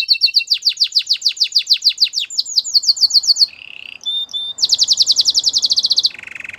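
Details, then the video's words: A canary sings a long series of rapid, downward-slurred whistled notes, breaks briefly into a low buzzy roll, then launches another fast bright trill. "The best canary singing video ever"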